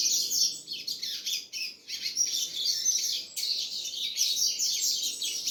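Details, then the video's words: Loud, unbroken high warbling and twittering from a double-collared seedeater, with rapid slurred notes and a brief break midway. "coleiro gasparzinho filho cachoeira negra"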